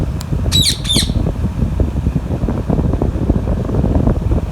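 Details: Alexandrine parakeet eating mango in company of a ringneck parrot. A faint click, then two loud, rough squawks near the start; the rest is steady low-frequency hum.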